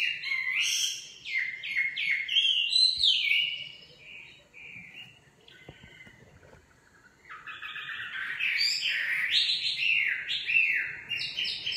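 A nightingale sings rich, varied phrases of fast whistles, slurred notes and rattling trills, with a pause in the middle before a loud burst resumes.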